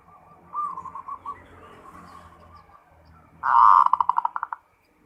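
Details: Zebra dove singing ngerot: soft wavering coos over a low hum, then a loud rolling burst of rapid pulses that slows and stops abruptly.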